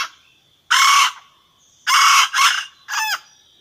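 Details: Red junglefowl hen call meant to bring the rooster: one loud, coarse squawk, then a paired double note, then a shorter descending harmonic cry, all against a quiet background with a faint high insect tone.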